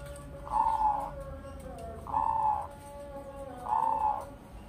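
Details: Two-year-old captive crossbred zebra dove, a Bangkok by local Indonesian perkutut cross, tame around people and noted for a big bassy voice, cooing: three mellow, level coo phrases about every 1.6 seconds over a steady hum.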